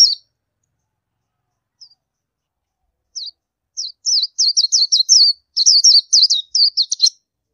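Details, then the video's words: Indian white-eye giving thin, high, downslurred chirps: a few spaced single notes, then a quickening run of rapid twittering notes over the last three seconds, against a silent background. "Oriental White Eye Bird Call"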